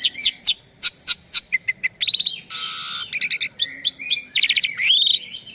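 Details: Asian pied starling in full, varied song: quick rhythmic chirps and clicks, a harsh rasping stretch, then bright fluttering whistles and an upward-sweeping note, all packed tightly together.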